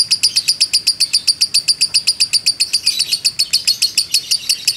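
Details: Long ngekek from a fighter lovebird, a training and trigger recording: piercing, metallic chirps strung together quickly, close to four a second, sharp and regular throughout.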